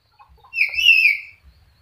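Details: Talking sulphur-crested cockatoo, a single drawn-out harmonic utterance lasting under a second, bright and slightly wavering, with faint low background thumps.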